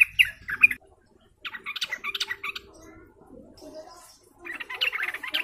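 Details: Sooty-headed bulbuls calling together as lure sound: two strong squawky notes, then bursts of harsh, buzzy chattering, a quieter lower stretch, and another loud chattering burst to finish.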